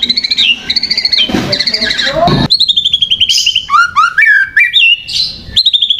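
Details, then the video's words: Lure song of a white-rumped shama, used to provoke birds: rapid series of clear whistles, steep upswept notes and chattering trills, with a harsh noisy burst early on. "PANCINGAN MURAI BATU, BIKIN EMOSI AJA"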